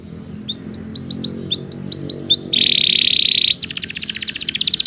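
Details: Belgian canary singing for training non-singing canaries: clusters of paired rising chirps, then a steady buzzing roll, followed by a faster pulsed trill, with faint low background hum.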